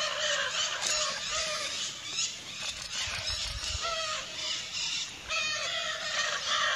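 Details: Wild Lear's macaws flying free in Brazil give a near-continuous chorus of grating, raucous screeches, many birds calling over one another with brief dips between bursts.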